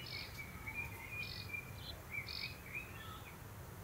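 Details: In June 2024 a common kestrel father readies food for his family. Short, whining notes follow one another quickly, some with a thin upper overtone, over steady low rural noise.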